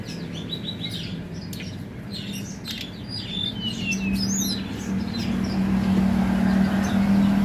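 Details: Mountain prinia singing vigorously: a busy run of short, high, sharp chirps and thin whistled notes, densest in the first half, over a steady low rumble of traffic-like noise that grows louder toward the end.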